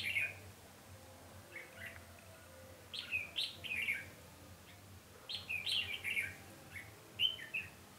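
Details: Decoy red-whiskered bulbul singing at a trap, 20 November 2015; two groups of lively slurred whistles separated by a quiet gap, with soft background hum.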